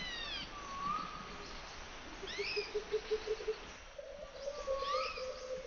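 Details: White-throated laughingthrush: high upslurred chirps and a sliding whistled note, followed by a run of low, evenly repeated pulses that rise slightly in pitch, all over steady background hiss.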